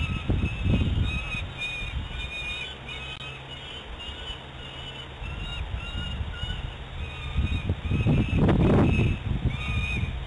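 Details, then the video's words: Peregrine falcon fledglings calling near the nest in the afternoon, apparently in flight and very distressed: faint, thin, drawn-out screeching notes repeated through the clip, heavily masked by loud, low wind-like rumble. "Who or What is Making These Distress Calls?"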